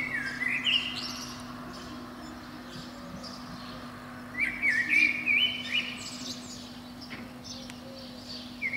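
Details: Dawn song of a Eurasian blackbird atop a pine beneath a window, each spring morning between five and seven. Two separate whistled phrases, the second a lively twittering run of varied notes, separated by quiet pauses, with a steady low hum.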